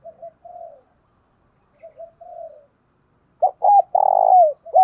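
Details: Spotted dove used as a decoy to draw wild birds, singing in the 'thổ đồng' voice style. Two soft, low coo pairs come first, then a loud phrase of sharp, hooked notes and a long, rough, vibrating coo.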